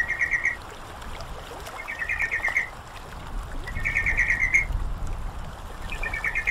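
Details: Training track to get a sooty-headed bulbul singing: short fast pulsed chattering bursts recurring roughly every two seconds, about four phrases, against a background of flowing water and splashes.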